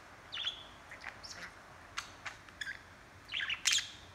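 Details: Pet budgerigar chattering and talking, recorded handheld; sparse sharp chirps and brief scratchy squawks with short quiet gaps, ending in a louder burst of rasping notes.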